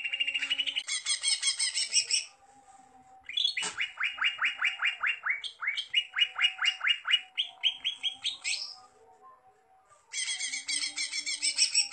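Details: Greater green leafbird, a kept bird in full loud song, delivers rapid bursts of high chattering notes, then a run of repeated downward-sweeping whistled notes, a short pause, and another buzzy high chatter.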